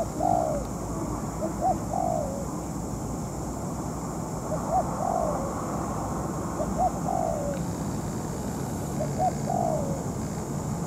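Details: Decoy spotted dove, molting, used to trap a wild rival. Four repeated phrases of paired short hoots ending in a longer sliding coo, evenly spaced against a background of dull low-pitched hum.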